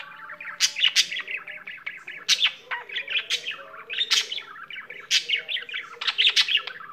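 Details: Pet budgerigar singing indoors, a long chattering warble of buzzy, fast-changing chirps and clicks with repeated sharp bright bursts, nonstop throughout.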